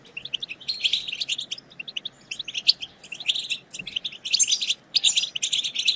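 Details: Stimulating bitbita twitter of European goldfinch: clusters of rapid high chirps and liquid trills come in short bursts with clear silent gaps, growing denser toward the end.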